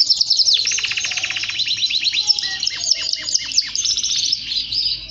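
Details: Male canary singing, its song meant to stimulate singing and excitement: a continuous high warbling of rapid trills and chirps, with repeated sweeping down-slurred notes and fast rattling phrases, steady and loud throughout.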